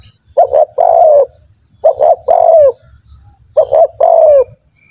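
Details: Spotted dove (tekukur) lure call for training birds to sound off; three clear phrases, each a quick double note followed by a drawn-out, slightly falling coo, with short silences between.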